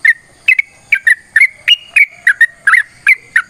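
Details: A sooty-headed bulbul sings a long fighting song to set other birds singing; paired and clustered liquid whistles, roughly two to three bursts per second, bright and clear.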